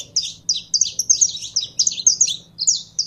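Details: Caged saffron finch being heated up to sing through handling. Quick, bright, high chirps come in a rapid, steady run, roughly every quarter second, with a soft background hum.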